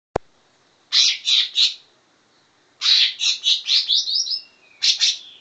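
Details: Greater green leafbird singing a learned imitation of the grey-cheeked bulbul song it was trained on: bright, high warbled bursts of rapid notes, a short phrase, a pause, then a longer run of quick rising-falling notes and a closing burst.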